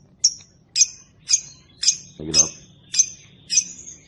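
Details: Lovebird played to make other lovebirds reply and sing ngekek; seven bright, high, downward-slurred chirps spaced about half a second apart, with a short low murmur midway.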